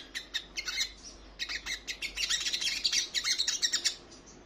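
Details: Female crimson sunbird in breeding condition calling the male, a rapid, uneven chatter of high, thin twittering notes, roughly three per second, running almost continuously over faint background hiss.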